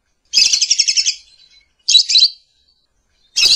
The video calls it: Lovebird Calling Sound